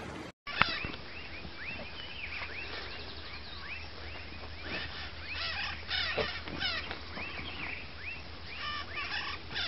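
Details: Northern red-shouldered macaw (Diopsittaca nobilis), flock calls: shrill, arched, rising-and-falling squawks from many birds overlapping in constant chatter over a low steady hum.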